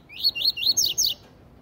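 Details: Double-collared seedeater song in the tui tui zel zel style, meant for training young birds: a fast string of about five high whistled slurs, the first ones rising, the last ones sweeping steeply downward.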